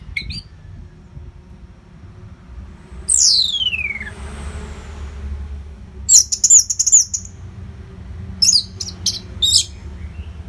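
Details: Orange-headed thrush tutor song for training competition birds: a long downward-sliding whistle, then very high scratchy bursts and short sharp notes over a low background hum.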